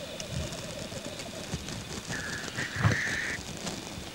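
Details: Male black grouse at a courtship lek, first giving a low bubbling coo that fades, then a drawn-out breathy hissing note followed by a louder rising hiss.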